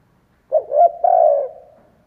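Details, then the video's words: Spotted dove decoy cooing to bring in wild doves; a lone three-part phrase, two brief rising notes and a long sustained coo, faint low background noise. "Chim cu gáy kích bổi , Cu gáy kích bổi mở là gáy"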